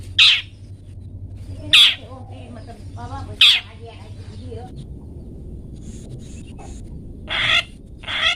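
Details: Long-tailed shrike, 'toet toet' style tutor recording for pet birds: three sharp, harsh bursts in the first four seconds, a pause with faint soft twitters, then two more rough calls near the end, over a low hum.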